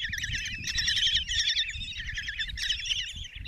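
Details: Common kestrel nestlings in a Hungarian nest box at Tiszalök, five chicks begging as the mother delivers a mouse on a June 2024 morning: continuous high, wavering trills crowding together, with low background rumble.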